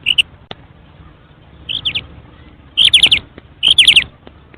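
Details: Calls of a female quail: bright, high-pitched notes in quick clusters of three or four, repeated roughly once a second, with faint clicks and a low background hum between bursts.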